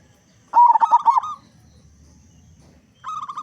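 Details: Local zebra dove, a loud singer played to get other zebra doves calling. One phrase of quick stuttering coos at a steady pitch, then after a pause a run of short, slightly higher notes begins.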